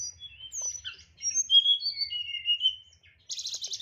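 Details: Kept tledekan (hill blue flycatcher) in nyeklek style: soft high whistles and gliding slurs, ending in a loud harsh buzzy rattle.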